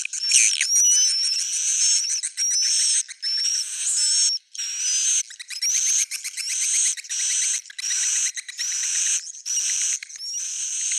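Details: Swiftlet in an original old-style recording: buzzy high twitter bursts separated by brief breaks, with sliding whistled notes early on and steady rhythmic chattering later.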